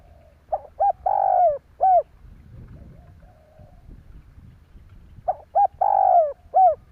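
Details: Spotted dove in fast 'thúc gù' cooing, used to stimulate other doves, repeats a phrase of two short clipped notes, a long rolling coo and a final short note, then pauses about three seconds before repeating, over a low rumbling background.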